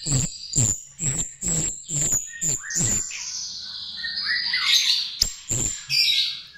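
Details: Chestnut-tailed starling song used as a lure. Six loud, harsh, broadband chattering bursts come about every half second, each topped by a high whistle. They are followed by a sustained, warbling, whistled phrase that rises and falls, then a few sharp clicks and harsh notes.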